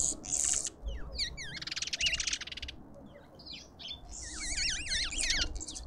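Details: Lovebirds at a garden feeder, suburban Pretoria, South Africa. Rasping screeches alternate with quick, shrill, up-and-down squeaks, several birds chattering together toward the end.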